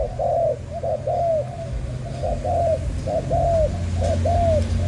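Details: Spotted dove of Malaysian stock, a young breeding bird, repeating short coo then longer downward-curving coo phrases at a steady pace, against a noticeable low-pitched hum.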